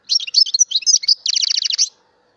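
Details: Loud song of a mutation European goldfinch: a lively twittering jumble of chirps and liquid notes flowing straight into a fast series of buzzy, descending trill notes, then quiet.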